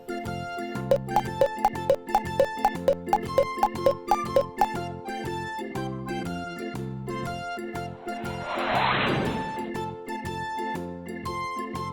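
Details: Cheerful children's music with plucked, tinkling notes and a brief swell of noise, with no animal voice.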